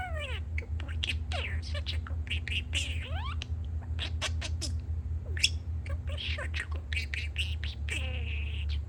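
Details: Pet male budgerigar kept indoors, talking and chattering while construction noise comes from outside: a continuous stream of fast warbles, clicks, squeaky rising and falling notes and mimicked phrases over a steady deep mechanical rumble.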